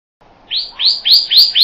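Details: Pyrrhuloxia song of five quick, rising whistled notes repeated about every quarter second, growing louder, over faint low background hiss.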